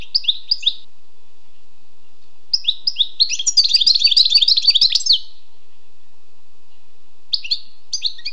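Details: Wild European goldfinch singing short paired chirps, then a lively two-second burst of rapid tinkling twitters, followed by quiet and more paired chirps.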